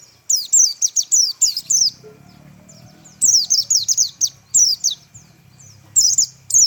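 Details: Pleci (white-eye) delivering tembakan song, quick strings of sharp high descending whistles in three bursts, each note clipped and bright, brief quiet gaps between volleys.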